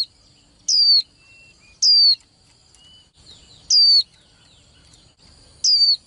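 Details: Young female white-eye, kept in a cage and used to stimulate males into singing contests. It gives a sharp, high, downslurred note every one to two seconds over a steady thin high whine, with quiet gaps between notes.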